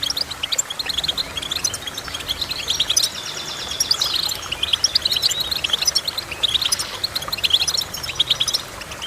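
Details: Continuous goldfinch twittering made of fast, high chirps and buzzy trills, growing denser and louder from about three seconds onward.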